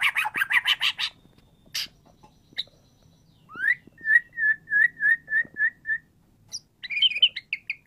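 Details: Lively white-rumped shama song used to coax a quiet bird to join in: a burst of harsh rapid notes, scattered chips, then a steady series of clear whistled notes and a closing trill.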